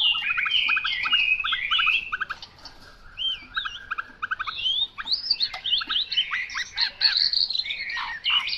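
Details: Chinese hwamei singing: rapid repeated chipping notes run into loud, varied whistled phrases that rise and fall, then a denser burst of sharp, rich whistles near the end.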